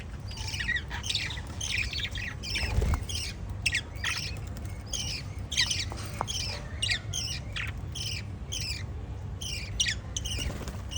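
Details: Lovebirds chirping: rapid, scratchy, high chattering notes in quick bursts, several birds overlapping continuously, over a steady low hum.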